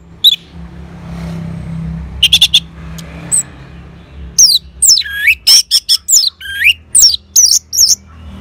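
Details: Orange-headed thrush answering a lure sound: after a quiet start with low background rumble, loud clear whistled notes, some sweeping steeply up and down, in a fast irregular burst.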